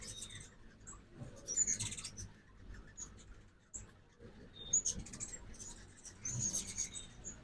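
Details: Backyard feeder in Oxford, Mississippi, during ruby-throated hummingbird fall migration, morning: scattered short, very high chip notes in a few loose bursts, separated by quieter gaps with faint background noise.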